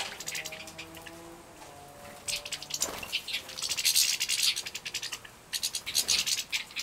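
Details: Captive-bred goldfinch chicks in Poland, 2017, at feeding time: scattered high chirps and sharp bursts of shrill begging, with faint lower steady tones in the background early on.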